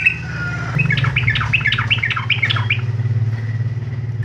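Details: Yellow-vented bulbul used as lure song to prompt other bulbuls to sing: a two-second burst of rapid, bubbling, chattering notes, about twelve quick phrases, over a steady low engine hum like a passing motorcycle.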